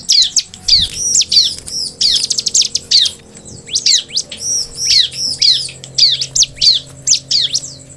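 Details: Bar-winged prinia singing vigorously: high, thin, hooked chirps given in quick bursts of two to four, with short pauses between bursts and a steady faint background drone.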